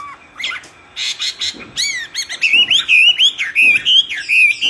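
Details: Myna in strong song: clicks and short rising notes open the phrase, then a steady string of loud, wavy whistled notes, each one bending up and down, runs to the end.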